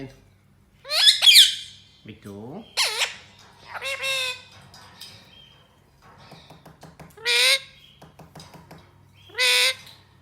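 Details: Tame two-year-old rose-ringed parakeet with a complete neck ring, which speaks greetings and knocks on a door: a series of harsh, harmonic squawks and rough chattering bursts spread over ten seconds, with quiet clicking between them.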